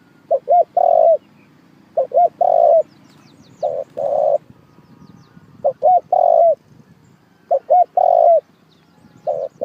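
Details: Spotted dove coos serving as a bait call for trapping, a steady run of low phrases: two short rising notes then a longer hoarse coo, repeated roughly every two seconds against a quiet, faintly humming backdrop.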